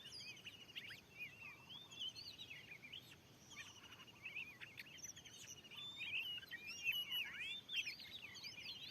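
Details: Fierce wild Oriental magpie-robin, newly cleared land, challenging a lure: fast, rambling whistled song of arched and dipping notes and sharp chips. It builds louder and denser toward the end, with brief scratchy clicks.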